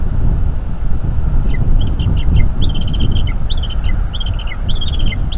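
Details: Bald eagle nestling in North East Florida, anxious its mother will eat the rest of the squirrel during an evening feeding in May 2021; quick stuttering high chirps in bursts, with strong wind noise beneath.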